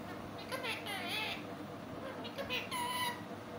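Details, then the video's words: Sweet-voiced parrot talking in quick, warbling, speech-like phrases, with stacked harmonic syllables at the start and a clearer drawn-out note near the end, over low background hum. "Mithu talking sweet voice"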